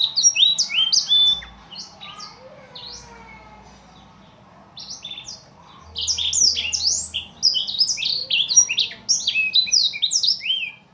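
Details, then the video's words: Nonstop master song of an imported Blackthroat: rapid high chirps in a first phrase, a quieter gap with faint lower notes, then a long dense burst of sharp, varied twittering. "burung master kicau blackthout"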